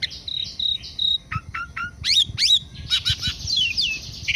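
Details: Asian pied starling in morning activity, Indonesia: a varied run of clear whistled notes near the top of its range, then three short falling notes, twisting upswept chirps and a dense jangling burst, over faint low background rumble.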